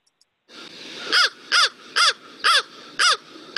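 A crow gives five harsh, hoarse caws in a steady series, about two per second, over a faint background hiss.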